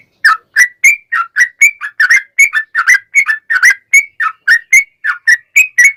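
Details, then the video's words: Yellow-vented bulbul (trucukan) lure song with long 'ropel' phrasing to make other trucukan sing back: clear, whistled notes, evenly spaced at roughly three per second, some rising and some falling, with quiet gaps between them. "KICAU SUARA trucukan gacor ropel panjang pancingan trucukan agar bunyi MENJADIKAN trucuk gacor NYAUT"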